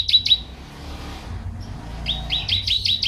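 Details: Canary song meant for tutoring and stimulating home birds: two quick high chips, a quiet pause, then a fast bright trill of repeated sweeping notes.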